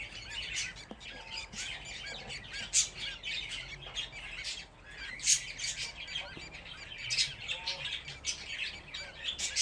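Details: Budgerigar babies, fifteen of them together, produce a continuous stream of harsh squawky chirps and high buzzy bursts, fairly even in loudness.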